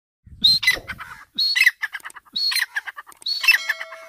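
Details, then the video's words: Female partridge (teetar), Iranian or dakhni type, calling in breeding season: loud harsh squawking notes in bursts of rapid chattered syllables, each burst opening with a sharp high note, repeated about every second. "irani teetar ki awaz |dakhni Teetar ki awaz|teetar sound|teetar ki boli|ایرانی تیتر کی آواز"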